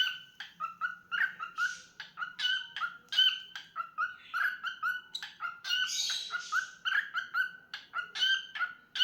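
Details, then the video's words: Pet cockatiel singing: a fast run of short chirpy notes repeated about twice a second, with a few brighter, buzzier bursts mixed in. A faint low hum sits underneath. "Adorable Cockatiel Milo's Cute Singing Moments"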